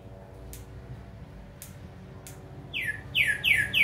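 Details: A captive green-winged saltator, in moult but singing well, on the morning of Tuesday 19 July 2022, gives a loud burst of four or five quick, arched whistled notes after a few faint clicks and a low hum.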